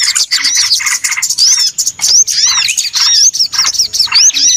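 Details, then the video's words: Small birds on a lure recording meant to draw birds for trapping: bursts of rapid chattering chirps broken by short gaps, with clear looping whistles sweeping up and down in the second half. "SUARA PIKAT BURUNG RIBUT ANTI ZONK"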